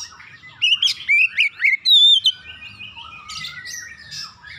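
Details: Lure recording of an Oriental magpie-robin to start other birds singing: six loud whistled notes and a long, level high whistle, followed by quieter, drawn-out twittering.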